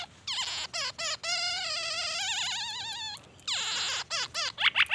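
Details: Song of a black-naped oriole, known locally as kepodang emas, full of white-rumped shama imitations. Quick downward sweeps lead into a long, wavering, trilled whistle. Further fast sweeping notes follow, ending in short, sharp bursts.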